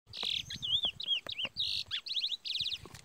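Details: Curió singing the Parazão song style: a loud, varied phrase of sweet slurred whistles, wavy rising-and-falling notes, a quick downward sweep and a closing run of rapid buzzy trills, fairly clean background.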